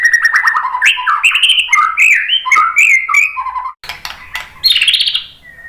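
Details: Bait song of the white-rumped shama (murai batu) meant to make other shamas answer: a rich, fast jumble of varied whistles, chirps and slurred notes, a brief break, then higher warbled phrases fading out.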